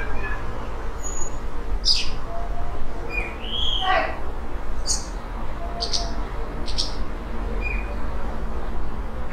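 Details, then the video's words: Tame Eurasian blackbird that has nested twice in a yard in Portugal, singing an unusual low-volume imitating song at dusk; a looping slurred whistle, then short high clicks and squeaks spaced about a second apart, with a constant low background drone. "Eurasian Blackbird Rare Song (Turdus merula) Melro-preto Imitando"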